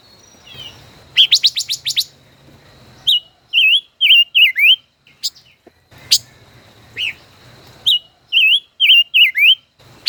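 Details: Caged five-colored bird in a song duel: a fast rising series of sharp chirps, then runs of bright, wavering whistled notes with dipping slurs, repeated in bursts separated by pauses, with a faint low hum behind.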